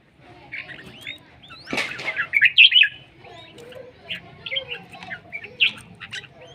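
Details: Red-whiskered bulbul from Laos, described as beautiful and fierce, giving short warbled phrases between 2 and 4 thousand cycles. The phrases are bunched around the middle and repeated near the end, with a sharp knock, clicks and a faint low hum.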